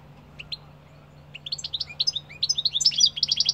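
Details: Goldfinch starting with two isolated chirps, then after a pause breaking into a sustained fast twittering song of high liquid notes, closing with repeated buzzy notes; a soft low hum persists.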